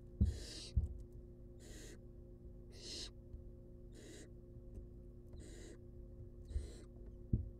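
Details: Wild barn owl chicks begging in their nest box during a feeding, seven breathy screeching hisses in quick succession, mixed with sharp taps and knocks and a low hum.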